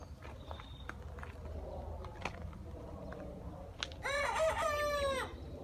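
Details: Young rooster, one of four birds its owner believed were hens, crowing: after a quiet stretch with faint chirps and clicks, a single hoarse, harmonic-rich crow lasting over a second, wavering then falling at the end.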